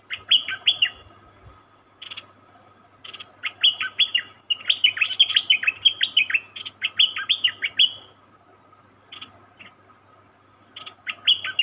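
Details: A captive wild-caught Cream-vented bulbul, some used as decoy birds, gives bursts of quick, bubbly, liquid chirps in rapid runs, pausing between phrases, over a steady faint electrical hum; recorded 26 June 2021.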